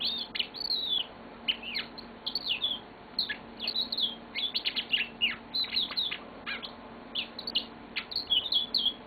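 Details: Long song of a pet yellow-fronted canary kept indoors, a continuous stream of high, sharp chirps, quick trills and sliding whistles with only brief pauses.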